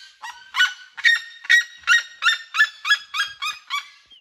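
A Red-legged Seriema gives a loud series of about ten harsh, yelping notes, roughly two or three per second, each falling slightly in pitch.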